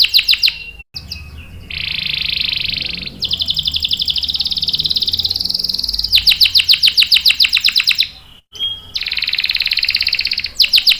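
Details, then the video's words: Singing canary used to prompt and train juvenile males. Fast high trills alternate with long, dense, rolling phrases, broken by two short silent gaps, across about eleven seconds of continuous song. "SUARA KENARI GACOR ampuh buat pancingan dan masteran kenari paud dan macet | CANARY SINGING"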